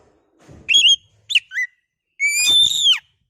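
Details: Kacer, the oriental magpie-robin, sings to stir other birds: a few short sliding whistles and a quick two-note dip, then a long bright whistle bending down at its close.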